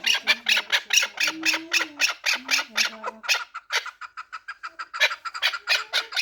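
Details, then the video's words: Four-year-old Pamir chukar, a fighting and hunting partridge, calling in a fast train of harsh chucking notes, about two per second, while low murmured tones drift beneath the first half. "Кабки Помир"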